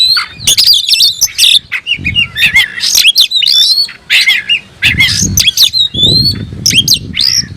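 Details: Oriental magpie-robin in aggressive display, tail spread, calling a rival to fight: continuous rich song mixing squawky harsh notes, whistled slides and chatter, low background hum.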